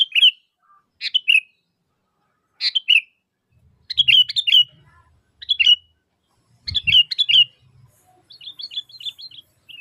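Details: Sooty-headed bulbul calling energetically, used to lure other bulbuls into answering: short bubbly chirping phrases of three or four notes, repeated at irregular gaps, ending in a quicker chattering run, with faint low rumbling in the background.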